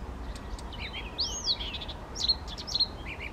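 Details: A male Blyth's reed warbler singing spontaneously at Bukovský pond near Těchařovice, Czech Republic, on 19 June 2014, the first national record: a varied string of high chirps, trills and a swooping slurred whistle, phrases spaced about half a second apart over steady hiss.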